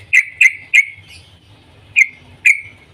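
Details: A yellow-vented bulbul gives its morning 'cuk cuk' call to prompt other bulbuls to sing: five short, sharp chirps, three in quick succession, a pause, then two more, over a faint low rumble.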